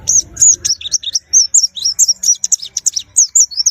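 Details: High-pitched white-eye song: rapid, varied slurred whistles and chirps strung closely together, bright and lively, following a short low rumble at the beginning.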